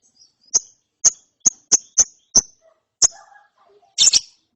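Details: Chirping lovebird chick after therapy, a quick series of thin high chirps at uneven half-second intervals, ending in a couple of louder rasping notes.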